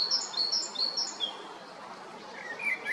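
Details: Male great tit at Jarun, Zagreb, Croatia, recorded in March, April and May 2022; a quick burst of thin, high, repeated notes in the first second fades out, then a few lower slurred chirps follow over steady background hiss.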